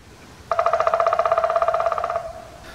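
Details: In Poland, a woodpecker drums on wood, making a mechanical sound rather than a vocal one: a fast, ringing roll of about twenty strikes a second that lasts under two seconds and trails off at the end.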